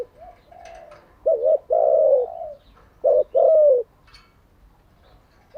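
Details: Spotted dove used for training captive doves, giving a soft distant coo, then two close loud phrases, each a short double note and a long descending coo.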